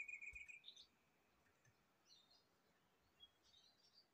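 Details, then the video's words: Rufous-chested flycatcher (sikatan rimba dada coklat), played as a lure and therapy to make caged birds sing quickly: a thin, high whistle held for half a second, then scattered faint, high twittering notes over a soft hiss. "PANCINGAN DAN TERAPI SRDC AGAR CEPAT BUNYI"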